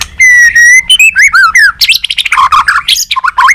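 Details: White-rumped shama in training, singing competitively with tail flicking: a long steady whistle, then a fast run of varied slurred whistles and harsh chattering phrases, very loud and close.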